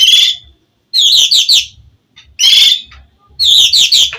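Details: Oriental magpie-robin in gacor singing style, played to provoke a rival to answer: loud high chattering phrases of quick notes, given in bursts about every one and a half seconds with silent gaps.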